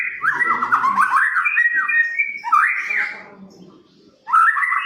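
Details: White-rumped shama, a caged bird singing loudly as a lure to provoke other shamas, delivers rich rapid warbled phrases sliding between low and high whistles, a pause, then a fresh rising burst; faint low murmur underneath.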